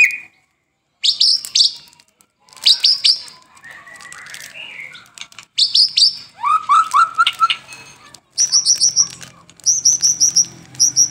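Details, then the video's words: White-rumped shama in full song, morning and afternoon: bursts of high chattering notes, a warbled phrase, a run of lower clear whistled notes, then short repeated high trills. "Murai Batu Gacor pagi dan sore hari"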